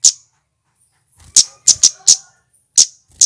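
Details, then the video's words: Male flowerpecker calling, played as a lure for wild Javan red birds: sharp, very high, clipped "cit" notes given singly and in quick pairs at irregular intervals, with silence between. "Suara asli CIT KERES GACOR"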